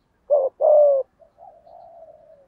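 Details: Cooing 'thúc gù' from a spotted dove lure bird with the low 'giọng thổ' voice, used to provoke wild doves: a short coo then a longer steady one, trailed by faint drawn-out soft cooing.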